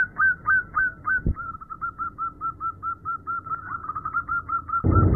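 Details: Female zebra dove calling to a male at night: a long fast series of short hooked cooing notes at an even pitch, about four per second, with a brief knock and low background rumble.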